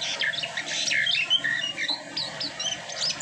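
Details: Short, high, twittering burst from an Asian pied starling after moulting: quick chirps and rising and falling whistled slurs, a low background hum beneath.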